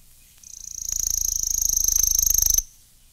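Worm-eating Warbler song: a dry, rapid, insect-like trill on one high pitch, lasting about two seconds and swelling slightly before stopping abruptly.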